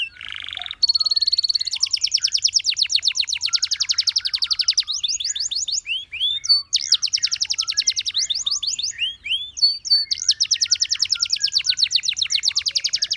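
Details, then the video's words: Gloster canary encouraging other canaries to sing, delivering a long unbroken high song: extended rapid rolling trills alternating with brief sweeping whistled notes, sustained energetically for over twelve seconds. "Gloster Canary Seducing Friends to Sing!"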